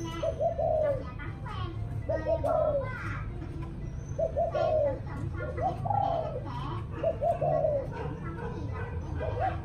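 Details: Spotted dove cooing in the evening in Vietnam: repeated short, low, hollow coo phrases that dip at the end, recurring every couple of seconds over children's voices and chatter and a steady background hum.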